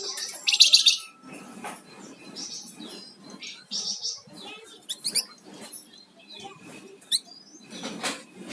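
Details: Lively flamboyan songbird song: a loud harsh buzzy burst at the start, then a scattered string of high sharp chirps and short squeaky notes with soft background rumble.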